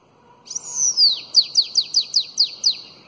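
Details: Single bananaquit phrase in 'belga alongado' style, meant for young bananaquits to learn: a long high arched whistle falling away, then eight crisp, rapid downslurred notes at an even pace, with faint low background noise.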